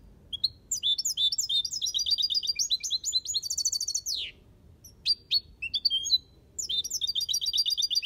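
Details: European goldfinch in an aviary singing the Malaga copy style: rapid runs of high, liquid twittering notes and trills, broken by a downward buzzy sweep, short pauses, then renewed tinkling phrases.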